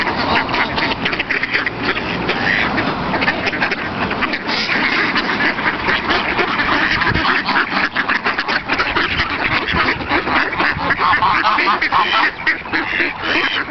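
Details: Noisy waterfowl crowding together at Virginia Lake, Wanganui, New Zealand, competing for scraps of bread: a dense, continuous chorus of overlapping quacks and harsh squawks from many birds, with no pauses.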